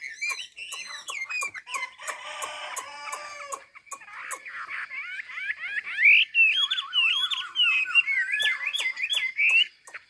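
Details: Chinese hwamei from Ha Giang, Vietnam, used to train other birds to sing, giving loud, varied whistled phrases: slurred notes, a fast wavering trill and rapid zigzag runs, over steady sharp clicking throughout.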